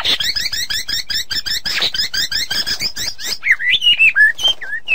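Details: White-rumped shama song used for tutoring songbirds: a fast run of repeated chattering, buzzy notes, then clear whistled phrases that slide up and down.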